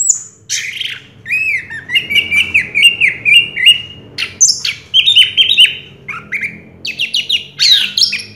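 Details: A 2022 first-place orange-headed thrush pours out a long, varied medley of squeaky slurred whistles, chirps and sharp upswept notes, delivered almost without pause.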